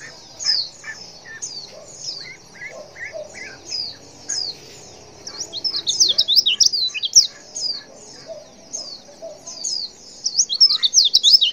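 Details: Female white-eye calling to make males respond: rapid bursts of high, thin, sharply slurred chirps, many per second, in busy clusters separated by brief pauses, growing denser and louder toward the end.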